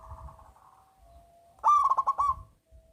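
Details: Loud local zebra dove used as a singing lure: a soft murmur and low rumble in the background, then a clear phrase of quick, bubbling coo notes near the end.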